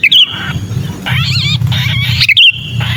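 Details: Sooty-headed bulbul lure sound, 'kejepit' style, meant to draw down bulbuls: sharp whistled note at the start and near the end, between them raspy, wavering harmonic screeches, steady low background hum.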